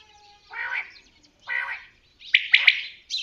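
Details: Two low, hoarse, buzzy notes from a common quail lead into a single sharp three-part high phrase near the end.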